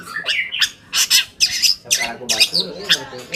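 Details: Long-tailed shrike song as a lure for other shrikes: harsh squawks and grating rasps in quick succession, about two per second, with short whistled slurs between them.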